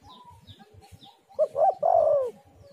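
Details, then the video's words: Spotted dove (tekukur) lure call: after a quiet stretch with faint chirps and low rumble, a quick pair of rising notes leads into one long, loud, descending quavering coo. "tekukur super gacor suara indah"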